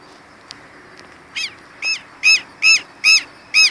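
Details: A southern lapwing, one of the Brazilian birds, gives six loud, harsh, ringing notes in quick succession, about two or three a second, after a brief quiet start with faint clicks.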